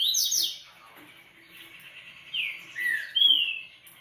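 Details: Double-collared seedeater opens with a loud buzzy trill, pauses over faint chatter, then gives three clear slurred whistles, each falling or sliding in pitch.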